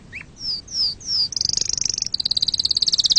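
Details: Canary singing three descending high whistled slurs, then a rapid high rattling trill that steps slightly lower partway through.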